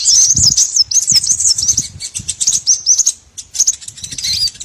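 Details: Small birds heard on a lure used to trap many kinds of small birds: dense, high-pitched chattering twitters running almost nonstop, with faint low thumps beneath.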